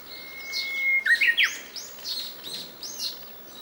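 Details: Japanese bush warbler singing while hidden and unseen among mulberry leaves: a long, steady whistled note, then a quick, twisting warbled flourish, followed by repeated high, arched chirps from another bird.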